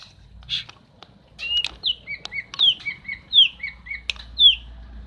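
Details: Female common iora calling to stimulate a male that has stopped singing: a series of short whistled notes alternating between higher downslurred notes and lower clipped notes, repeated about once a second, with a few clicks.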